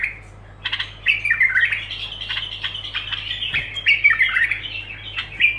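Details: After a short silence, a bulbul launches into unbroken scratchy warbling, with squawky notes and quick slurred whistles running to the end over a low background hum.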